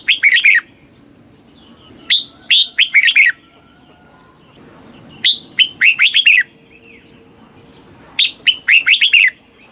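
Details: Red-whiskered bulbul song from Thailand, southern master style, played to excite caged birds and teach young birds: four near-identical phrases, each a lead note followed by a fast chattering run of bright whistles, roughly every two seconds.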